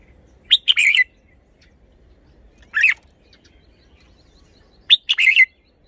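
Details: Red-whiskered bulbul displaying its song style, giving three short phrases about two seconds apart. Each phrase is a quick series of bright, slurred, whistled chirps, and the middle one is a single rough note. The background is quiet.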